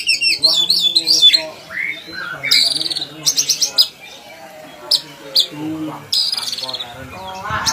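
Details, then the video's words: Kacer, the Oriental magpie-robin, in energetic song meant for training other kacer: rapid repeated whistled phrases, bursts of harsh buzzy chatter and short trills, with low murmuring tones underneath. "kacer gacor buat masteran kacer"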